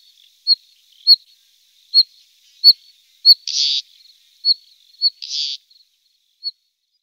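Moussier's redstart giving thin, high, clipped chirps at uneven intervals, broken twice by a harsh, rasping burst.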